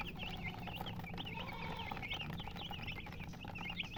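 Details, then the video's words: Colored chickens chirping in a dense chorus of quick, bright, bent peeps, many birds calling at once with barely a gap, a constant low hum running underneath. "silly chicken chirping sounds with murgi hen color chicken"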